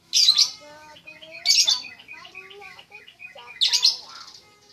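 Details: Trucuk, the sooty-headed bulbul, with three loud raspy chatter bursts spaced over about four seconds, linked by softer, wavering whistled notes.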